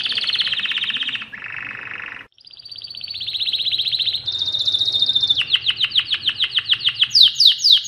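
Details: Mosaic canary in full song: a long rolling trill, a lower buzzy roll, a brief silence, then rising trilled phrases ending in a fast series of sharp downslurred notes.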